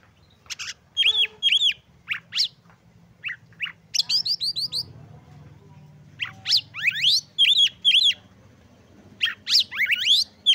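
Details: Oriental magpie-robin singing in a gacor style, meant to provoke other magpie-robins and stir their breeding urge so they sing. Rapid bursts of high whistled and buzzy notes, some sharply rising sweeps, in quick irregular phrases over a faint low hum.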